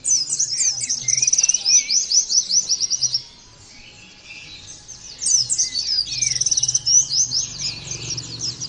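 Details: Two bursts of Oriental white-eye 'nembak' song, played as training material for other white-eyes: shrill, crowded down-slurred notes and rattling trills, separated by a gap of about two seconds, over a faint low drone.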